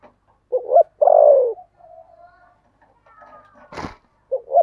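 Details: Caged decoy spotted dove with a 'thổ' style voice, used to lure wild doves: a brief two-note coo, then a long, drawn-out falling coo, faint soft tones, a sharp knock, and the start of another coo.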